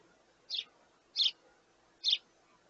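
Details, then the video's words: A young sparrow begging its parents for food gives three short, high, scratchy cheeps, spaced under a second apart, over a faint background hum. "Baby Sparrow Wants More"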